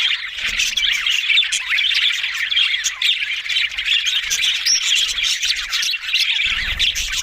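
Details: A group of budgies, the Australian parrot, warbling and squawking together in a steady high-pitched babble of rapid chirps and trills, with occasional low rumbling underneath.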